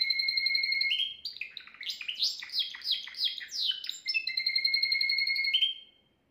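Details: Timbrado canary, one of the best singers kept at home, recorded the day before as a model song for training young canaries; sustained metallic trills near steady pitch, broken by a run of fast falling rolled notes, then returning to the steady trill.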